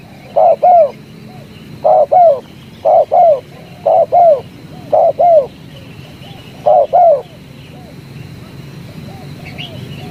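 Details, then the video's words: Spotted dove, locally jergot, calling in tarik akar style: six or so bursts of doubled, arching coos about one second apart over seven seconds, then only quiet background hiss. "jergot suara tarik akar"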